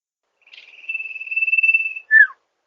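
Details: Sirtu master recording for luring birds in rice fields: one long, even, high whistle lasting about 1.5 seconds, ending in a quick slurred downward note.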